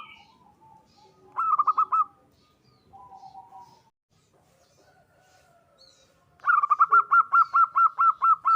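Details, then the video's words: Zebra dove of local type calling other doves, a lure recording: one short burst of rapid coos, faint other bird calls, then a long regular series of clipped cooing notes. "Perkutut lokal gacor suara memanggil teman Ampuh dijadikan pancingan perkutut lain 100% ikut bunyi"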